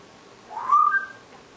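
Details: African grey parrot in a darkened room, performing unaware of the camera: a single clear whistle that slides upward and then holds steady for about half a second, with nothing else audible.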